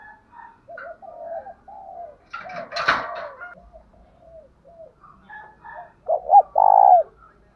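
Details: Spotted dove decoy bird's fighting coo to stir other doves: soft, scattered coos for several seconds, a brief rough noise burst mid-clip, then a loud run of arched coo notes ending in a drawn-out rolling note.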